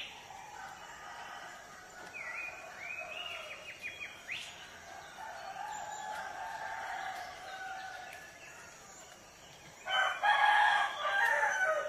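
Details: Morning village scene with many small birds chirping and twittering for most of the stretch, then a rooster's loud harmonic crow bursting in near the end and running to the cut-off.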